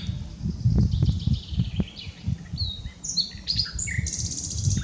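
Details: Common nightingale, unedited recording: scattered whistled and slurred high phrases building into a denser run of notes near the end. Loud low rumbling noise and thumps dominate the background.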